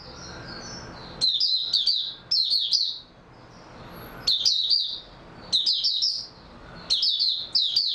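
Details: Oriental white-eye (mata puteh) singing on 3 March 2022 after a good night's sleep; five bursts of rapid, high, bright twittering, each under a second long, separated by short quiet gaps.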